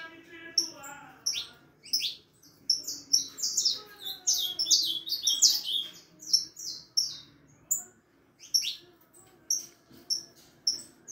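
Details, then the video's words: Harlequin saffron finch fledgling of four and a half months singing a jumbled stream of high chirps and slurred notes, with a low hum and mixed background sounds throughout. "canario da terra filhote arlequin cantando muito 4 meses e meio de vida canario ancestral"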